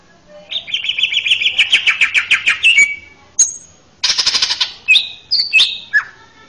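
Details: Song of a male greater green leafbird, recorded as a master track for training young birds: a long rapid trill of repeated notes, a brief pause, then a buzzy rattle followed by sharp whistled slurs.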